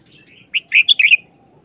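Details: Red-whiskered bulbul singing a short, quick wild-style phrase: one rising note, then a fast run of bright, warbled whistles lasting about half a second against quiet background.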